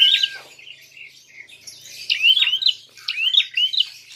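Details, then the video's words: Prinia giving a fighting call meant to provoke other birds. A high squeak comes first, then a pause, then pairs of sharp, zigzag chirps repeated close together. "Untuk PANCINGAN! Prenjak tarung gacor!!"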